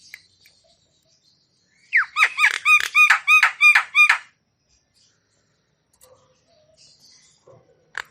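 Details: Javan myna in lively full-repertoire song, used to stimulate stressed or quiet mynas, delivers a rapid string of about ten ringing, arched chirps over two seconds after a sharp opening note.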